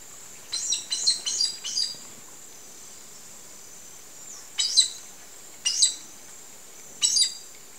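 Green aracari giving sharp, harsh high notes, first a quick run of five, then single calls about a second apart, over a steady high insect drone.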